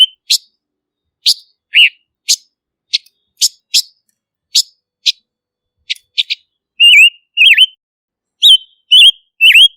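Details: Song of the silver-eared mesia: a slow series of sharp, dry high ticks spaced about half a second apart, followed by loud clear whistled slurs that rise and dip in groups of two or three.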